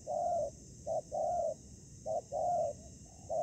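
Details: Ground-trapping spotted dove, a decoy calling against aggressive wild doves in Vietnam. Rounded low coos run in a long-short-long rhythm: drawn-out notes broken by quick single coos, evenly spaced, with a soft constant hum behind.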